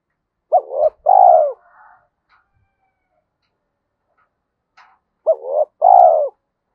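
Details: Spotted dove kept as a decoy bird in Vietnam gives two coo phrases about five seconds apart. Each is a short hooked note and then a longer falling coo, with faint rustles and taps in the gap.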